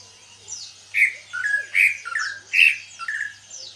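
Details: Caged greater green leafbird, bought two months ago during a heavy moult and now starting to sing freely: loud, harsh squawky mid-pitched notes alternate with thin high sweeping whistles, in bursts about every half second, in quiet surroundings.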